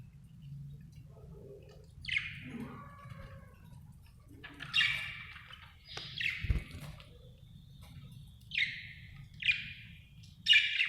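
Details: Happy budgie giving scattered short, buzzy chirps spaced a second or two apart, with a faint low thump in between.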